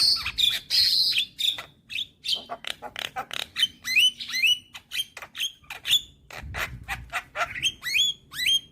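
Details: Young black-winged starling in lively song, a recording for coaxing quiet starlings: a continuous stream of sharp clicks, harsh notes and upward-sliding whistles with short gaps between.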